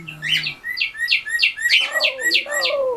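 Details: Pet cockatiel indoors in West Newton, Pennsylvania: a fast series of sharp, high chirps repeated about three times a second, with a person's voice talking underneath toward the end.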